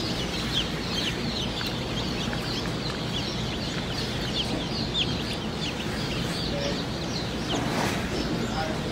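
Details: Many day-old Dominique chicks cheep together: rapid, high, sharp peeps packed closely over a constant low droning hum, with a few louder individual chirps standing out and a faint voice near the end.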